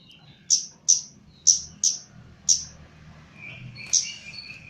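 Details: Chestnut-capped laughingthrush, caged and under training, giving five sharp high chirps spaced roughly half a second apart, then a pause and a softer warbled phrase with thin whistles.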